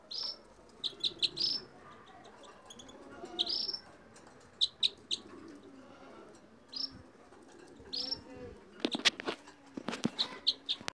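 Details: Red crossbill giving repeated high, upward-sweeping whistled notes in small clusters with pauses between them, then a run of quick clicking notes near the end.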